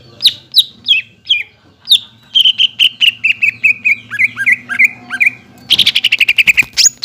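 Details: Lure song of a greater green leafbird, meant to prompt raw and flock-kept birds to reply: spaced sharp downslurred whistles give way to a rapid chain of falling chirps, closing in a dense loud burst.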